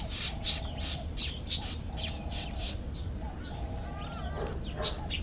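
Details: A Black-eyed bulbul, filmed while eating an apple, gives quick, harsh chattering notes, about three a second, some with a short nasal tone, over a steady low rumble of background noise.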